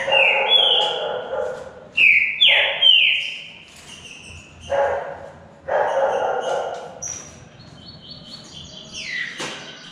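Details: Two Green-winged saltators in a singing contest give loud, rich whistled phrases that slide downward, in bursts every one to two seconds, then thinner high notes, seeming to answer each other.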